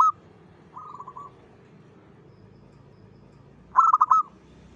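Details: Local zebra dove in full voice, used as a lure for other zebra doves: a soft stuttering coo near the start, then a loud, rapid, broken cooing phrase of quick pulses ending in a trill, over quiet background hiss.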